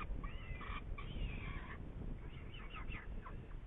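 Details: Saker falcon in Hungary, recorded 8 May 2019 around a prey event at 10:04; harsh harmonic calls in two clusters, with a steady low rumbling background.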